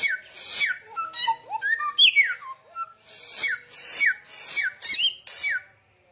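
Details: Vigorous samyong song mixing falling whistled notes and harsh rasps with a varied middle passage of rising and falling warbles at several pitches.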